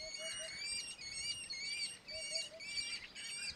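Red-footed falcon giving shrill, high, nasal notes in quick bursts, roughly two a second, over faint lower piping notes.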